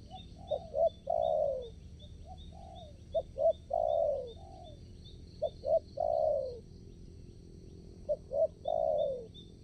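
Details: Spotted dove decoy luring wild doves during trapping in a new location. It repeats a rhythmic coo pattern, short notes leading into a long falling hoot, about every two and a half seconds, with steady insect chirping.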